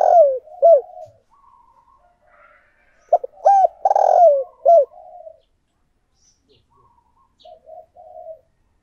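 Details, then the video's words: Spotted dove kept as a decoy calls to draw in wild doves, giving deep, hoarse coo phrases of clipped notes around one long swelling coo. Softer, distant coos answer faintly in the pauses. "Chim Cu Mồi Thúc Gù Gáy Gọi/ Tiếng Chim Cu Gáy Kích Bổi"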